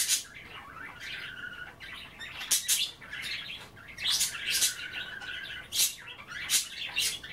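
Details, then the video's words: Budgies chattering at bath time while nibbling kale; warbled trilling notes and raspy squawks in uneven bursts, with a faint flutter of wings among the calls. "A day in the life of a Budgie - kale bath and chattering"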